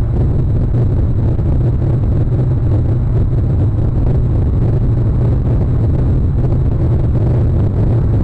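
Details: Loud, steady low-pitched roar of wind or traffic fills the recording, with no bird calls.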